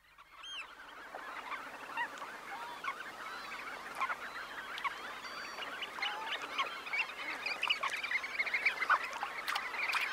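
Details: Red knot flock of about 20,000 birds taking off from a high tide roost, close up: dense, overlapping chatter of short calls swelling from a quiet start into a steady, busy roar.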